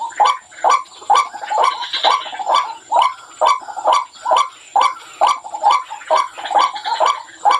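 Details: White-breasted waterhen lure call with fast regular harsh notes, over two per second, each a short croak followed by a sharp click-like accent, in a steady pulsing rhythm.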